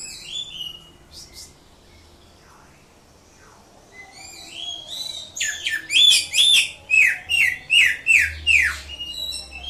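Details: Ngatrok-style song of a greater green leafbird from Indonesia, opening with short high chirps, a near-silent gap, then an energetic series of loud, rapid downward-sweeping notes repeated steadily, about two and a half per second.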